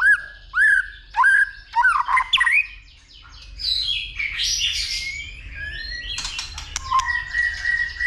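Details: Male white-rumped shama stimulated by a female into fighting song, with continuous clicking calls and tail flicking: three loud rising whistles repeated about every half second, then rich varied warbling with buzzy and sliding notes.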